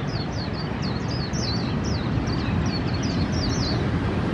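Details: Swinhoe's white-eye singing in a park in Taipei, Taiwan: rapid, high, wiry notes that dip and rise, about four per second, over a background hum of vehicles.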